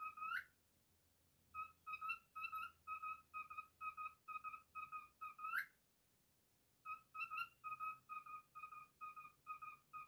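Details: Pet cockatiel whistling its own version of the tune If You're Happy and You Know It: a sharp rising whistle, then runs of short clear whistled notes at a steady pitch, about two per second, a pause, another rising whistle and a second run.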